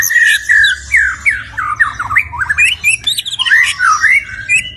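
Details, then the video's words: Rich, fluid stone magpie song: looping whistled notes that swoop up and down in quick succession, broken by brief pauses and a few higher chirps, over a soft low rumble. "Stone Magpie Bird - Beautiful Bird Song"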